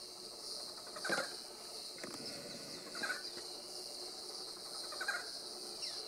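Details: Barred forest-falcon (Micrastur ruficollis) in Chaco National Park, Argentina, 27 October 2017, giving short, hoarse single barks, evenly spaced about every two seconds, over a steady high hiss of insects.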